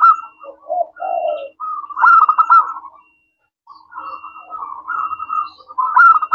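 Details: Local zebra dove singing steadily in a clear 'crystal' voice, used as a lure so other doves answer: rolling, pulsed coos repeated in phrases of about a second, with a brief pause mid-clip, plus faint cooing answers between phrases.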